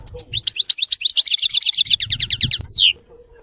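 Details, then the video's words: European goldfinch kept as a cage bird, singing a clean song free of errors: scattered high chirps build into a rapid ringing twitter, closing with a long descending buzzy slur, soft low thumps beneath. "تغريد ملك الطيور المغردة الحسون (المقنين) نظيف وخالي من الأخطاء"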